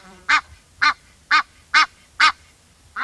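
An Egyptian goose gives a run of loud, harsh, nasal honks, evenly spaced about two per second, against a quiet background.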